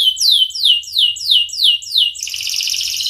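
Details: Canary singing a long training song for young canaries: repeated descending swooping whistles about three per second, then a dense buzzy trill at the end.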